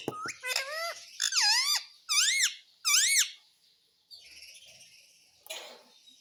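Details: Talking pet parrot indoors giving a run of bright, swooping, harmonic calls, each rising then falling, repeated about once per second. Quieter breathy, hissing sounds and a brief rustle follow.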